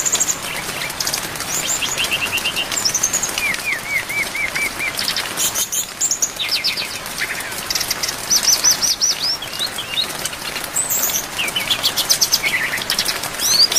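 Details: Long training recording of a brown-chested jungle flycatcher's song full of varied phrases, recorded with rain. Whistled series, rapid trills and chattering bursts follow one another almost without pause over steady falling rain.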